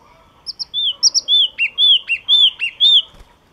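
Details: Loud, clear song of a Yellow-cheeked tit: sharp high chips alternating with sweeping slurred whistles, about two phrases a second, ending with a soft thump.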